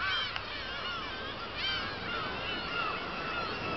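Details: Black-tailed gulls at Kabushima, 2 August 2012 after fireworks: loud wavering yelps up front, then several long, gently falling nasal mews over background colony noise and a brief tap.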